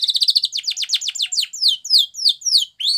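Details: Canary training song opening with a very fast, dense trill that slows into spaced, clear downslurred whistles about three per second.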